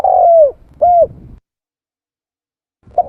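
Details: Lure sound of a spotted dove: a long downward-sliding coo, then a shorter arched coo, a pause of about one and a half seconds, and the start of another brief coo.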